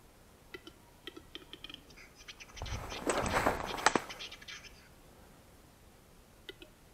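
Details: Male western capercaillie at a spring lek in the Siberian taiga, before dawn, gives dry, tapping clicks that quicken, then a rushing, scraping phrase of lek display song.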